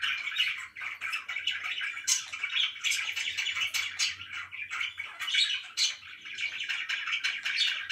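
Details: Pet budgies chattering indoors, a busy mix of chirps, squawks and warbling notes that run together without a break, with a faint low hum beneath.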